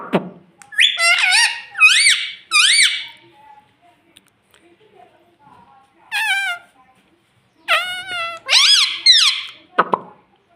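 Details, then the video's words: Talking rose-ringed parakeet kept as a pet, said to say "mummy", gives clustered, wavering, harmonic phrases in rapid pairs and triplets with short silent gaps, ending with a sharp click. "Mummy Bolne Wala Tota || Batuni Tota Mitthu || Talking Parrot"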